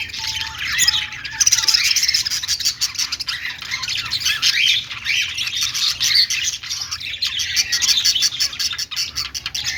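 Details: Pet budgerigars, Australian parrots said to be happy and at play, keep up a busy continuous high chatter of scratchy chirps and clicks, with brief whistled notes early on.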